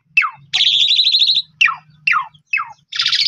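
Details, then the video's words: Asian pied starling song meant to coax sulking, stressed or silent birds into singing: sharp descending whistled notes alternate with a long, buzzy, warbling trill and a final rough burst, over a faint low hum. "Pancingan Jalak Suren Paling Bagus !! Jalak Suren Pundung 100% Gacor"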